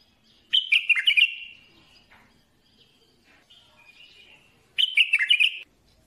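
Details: Two bold warbling strophes from a bulbul, roughly four seconds apart. Each packs rapid, slurred, fluty notes into under a second and ends in a trailing whistle, with soft faint chatter between.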